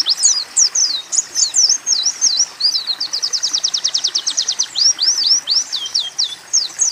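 Oriental white-eye song: rapid, high, sweet notes, with a steady run of quick repeated chips mid-way and canary- and sunbird-like phrases woven in.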